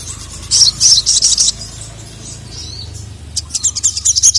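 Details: Sogon, a female calling and a male answering angrily; a rapid run of piercing high chirps, then a pause, then a second quicker series of short, sharp tweets.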